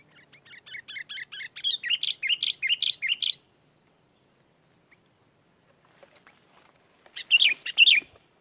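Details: Sooty-headed bulbul song used as a lure to make wild bulbuls answer and sing: a fast run of bright, bubbly rising-falling notes repeated about twice a second for three seconds, then silence and a short loud burst near the end.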